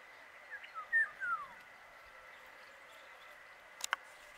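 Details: A paddyfield pipit (Anthus rufulus) in Rajasthan gives a few short, thin notes that slur downward, then falls quiet over a steady background hum, ending with a sharp click.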